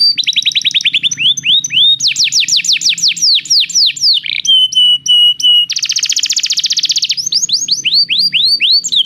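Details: Canary song used to encourage a silent canary to sing: varied rapid trills of descending swooping notes, a steady whistled tone, then a dense buzzy rattle followed by more fast chirped rolls, loud and continuous throughout.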